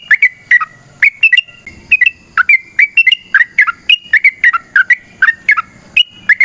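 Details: Yellow-vented bulbul singing its long, combative ropel, recorded to provoke rival birds into singing: continuous bubbling, slurred whistles rising and falling in quick succession, and a soft thump in the background.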